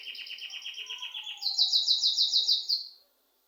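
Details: Bird chirping at home: a fast pulsed trill that jumps to a higher, louder rattling series of rapid notes before stopping abruptly into silence.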